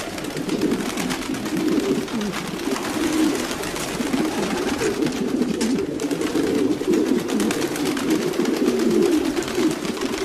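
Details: Many domestic pigeons producing continuous low, rolling coos that overlap into a steady murmuring drone, with scattered sharp clicks and rustling of wings or feet.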